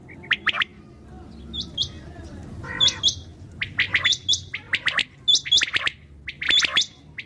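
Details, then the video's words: Common quail calling at night: sharp clipped notes grouped in quick triplets, interleaved with higher short whistled notes and a brief buzzy burst, several callers overlapping. "QUAIL SOUND||بٹیر کی اواز||NIGHT SOUND||RAAT KI AWAZ"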